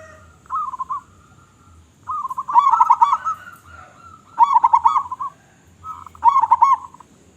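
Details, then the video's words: Local zebra dove, loud-voiced and singing actively. Four phrases each begin with a low burred coo and break into a fast, loud, stuttering roll. There are gaps of about one to two seconds between phrases. "Perkutut Lokal Gacor Suara Besar"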